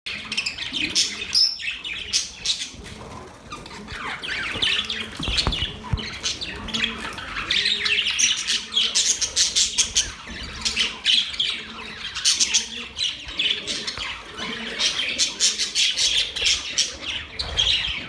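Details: Happy budgerigars at play chatter nonstop with bright, scratchy chirps and warbles layered over one another.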